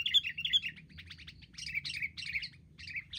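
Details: Sooty-headed bulbuls, wild, bravely attacking in a group: bright chirpy phrases, several short bursts of warbled notes separated by brief gaps.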